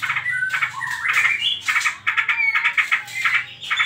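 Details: Lure song of a white-rumped shama in the trotol style, used to provoke other birds to sing: short whistled notes rising and falling, broken by rapid rattling bursts, with a low hum underneath.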